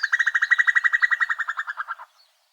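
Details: Female Common Cuckoo in the UK, in spring, giving its bubbling, mad-sounding call, a rapid chuckle of about twenty liquid notes in two seconds, slowing and fading slightly at the end.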